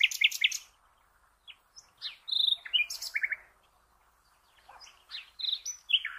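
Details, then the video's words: Nightingale song intended for cage birds to learn from: scattered sharp chips, a buzzy rattling note and rolling trilled notes, in short bursts with pauses between. "The Best NIGHTINGALE Song for all bird lovers"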